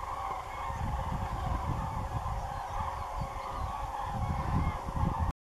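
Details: Huge flock of common cranes flying over fields near Doñana National Park, Spain, at day's end: constant massed trumpeting calls, growing louder toward the end, over heavy low-frequency wind buffeting.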